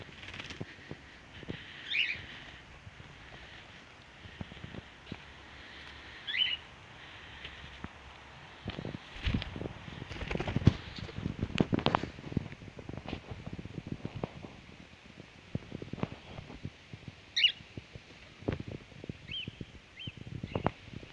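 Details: Pet cockatiel free-flying outdoors on a cloudy day just before rain, giving a few short, rising whistled calls over loud rumbling wind and fluttering noise.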